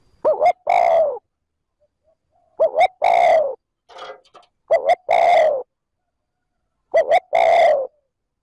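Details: Spotted dove kept as a decoy, cooing in the 'trơn ròng' style to stimulate wild doves to respond. Four low cooing phrases arrive about every two seconds, each two quick clipped notes then a longer throaty coo, with a faint brief rustle between.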